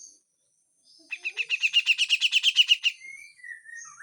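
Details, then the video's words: Grey-cheeked bulbul singing harsh besetan song: after a brief pause, a rapid even rattle of about a dozen chattering notes over two seconds, ending in soft drawn-out whistles. "MASTERAN CUCAK JENGGOT FULL KASAR DAN BESETAN"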